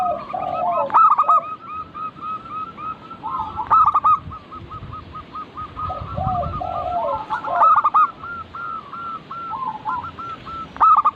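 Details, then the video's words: Chorus of local zebra doves for coaxing captive birds to sing: continuous overlapping rapid coo series, punctuated by four loud stuttering coo phrases spread roughly three seconds apart. "Burung perkutut lokal Pancingan agar cepat bunyi cepat manggung"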